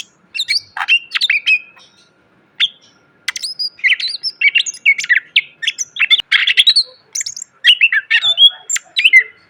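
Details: Greater green leafbird in a full training song for cage birds: long busy medley of chattering chips, downslurred whistles and buzzy notes, broken by one short pause.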